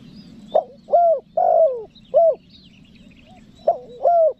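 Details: Luring call of a spotted dove in the 'nekan nguku' style: a clipped opener, a medium coo, a long sliding coo and a short closing note. The next phrase begins right after. Light bird twitters sit in the background.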